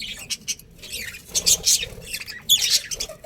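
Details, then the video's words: Budgie colony with a breeding pair of colourful birds: a short run of scratchy squawks and chirps in three or four loud bursts over a faint murmur. "Colourful Budgies Chirping Sounds"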